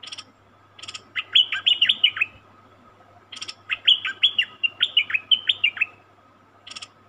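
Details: Cream-vented bulbul, a captured wild bird, in lively song: rapid runs of clear whistled notes sliding up and down, about six per phrase, broken by short buzzy chips; a steady low hum underneath.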